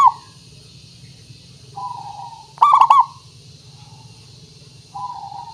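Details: Local perkutut zebra dove sung as a lure: a brief coo, soft steady coos, then a loud bubbling burst of four quick rolling notes, followed by quieter coos.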